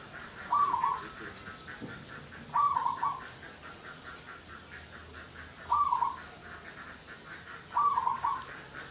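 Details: Local zebra dove song played as a lure to stir mating arousal in other doves and make them sing. Four brief, trilling coo phrases about two to three seconds apart over steady low background noise.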